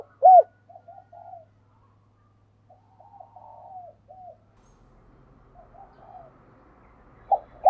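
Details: Decoy spotted dove calling to provoke wild doves; soft, low hoarse coos in short broken phrases, a few spaced notes then a louder coo near the end, with a quiet background.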